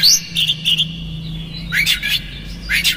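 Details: Oriental magpie-robin song used as a lure to provoke a magpie-robin into anger: bright whistled notes near the start, then rapid harsh bursts around two and three seconds, over a steady low hum.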